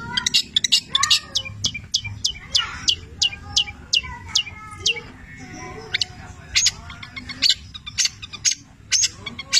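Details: Cendet (Long-tailed shrike) singing a varied song laced with labet and canary imitations: quick high ticking notes and short twitters, then lower warbled phrases and scattered sharp chips.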